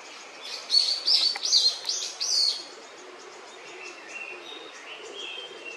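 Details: Fledgling Japanese paradise flycatcher, out of the nest, begging: four loud, quick, arched chirps in the first two seconds, then softer, thin notes scattered over a steady background hiss.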